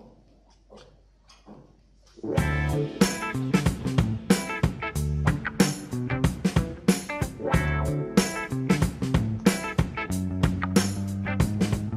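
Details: Plucked guitar and bass music with regular strummed beats after a quiet opening, and no animal voice.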